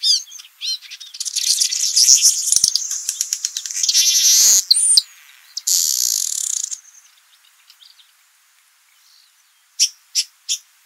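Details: A male Rüppell's weaver (Ploceus galbula) building its nest in Jeddah, Saudi Arabia, gives a busy, high buzzy chatter with rapid ticking notes and sizzling trills, fading out, then three sharp chips.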